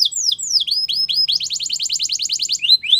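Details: Canary singing to stimulate other canaries to sing: rapid varied phrases of downslurred whistled notes, then a fast buzzy trill of repeated high notes, ending with rising slurs.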